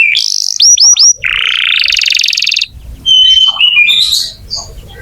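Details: Canary singing as a prompt for young or silent canaries: a few bright whistled swoops, a long harsh buzzy rattle, then clear pure whistled notes and short twittering.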